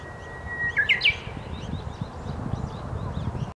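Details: Japanese bush warbler song: one long steady whistle, then a quick rising-and-falling flourish of brighter notes. Fainter, distant chirps from other birds follow over a constant low rumbling background.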